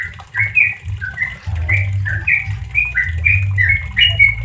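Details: Yellow-vented bulbul giving a relaxed ropel song as training audio for caged bulbuls: a quick chain of clear, slurred notes that rise and fall, with a steady mechanical hum underneath.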